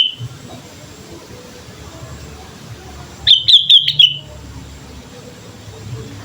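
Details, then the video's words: Sooty-headed bulbul singing actively, used as a lure for training other birds: a single short burst of quick, bubbly, high whistled notes lasting under a second, set against a quiet background hum. "pancingan suara burung kutilang gacor"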